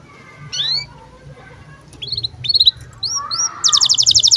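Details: Canary giving birahi (breeding-condition) chirps meant as a tutor recording for young canaries: scattered high upslurred chirps and short whistles, ending in a fast, evenly repeated metallic trill, over a faint low hum.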